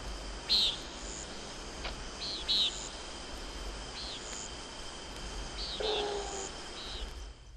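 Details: Common Nighthawk, in a 1961 field-guide recording of eastern and central North American birds, giving short, nasal, buzzy peent notes, repeated every second or two over a steady hiss.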